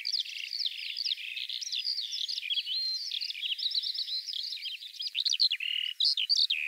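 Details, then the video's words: Unbroken skylark song: a hurried babble of high chirps, slurred whistles and trills, growing choppier with sharper bursts toward the end. "Kiurun / Leivon laulua | Skylark Singing"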